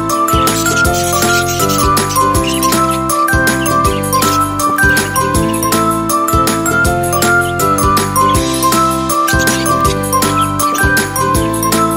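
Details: Bright, jingling instrumental music with steady beats plays throughout, with no animal voices. Tinkling bell-like tones and sustained chords fill the whole stretch, and no chirps or calls come through.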